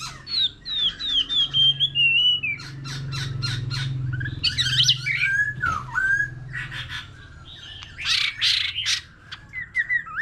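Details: Old wild-caught white-rumped shama in continuous, many-voiced competition song with a laughingthrush. A string of descending whistles gives way to loud, harsh, buzzy bursts and rattles, interspersed with short slurred notes over a low background hum.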